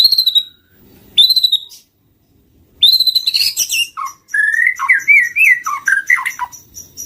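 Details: White-rumped shama lure song: opens with clear, high, sustained whistles, then breaks into a fast, varied run of warbled, slurred and chattering notes, dropping and rising in pitch, with brief gaps between phrases.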